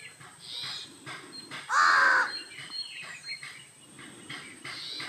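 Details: A Jungle Babbler, while grooming, gives one loud, harsh, nasal call lasting about half a second, over faint chirps from other small birds and a steady background hiss.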